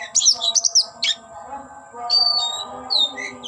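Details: Oriental magpie-robin singing while displaying and spreading its tail: loud bursts of sharp, varied whistled and chirping notes, some rising, some falling, with short pauses between phrases and a low steady hum beneath.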